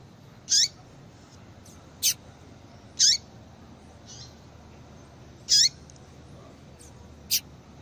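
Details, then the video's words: Female yellow-bellied seedeater calls intended to set a male singing: piercing high chips with falling tails every two and a half seconds, alternating with short thin ticks and soft faint notes. "Esse Piado de Fêmea de Papa capim"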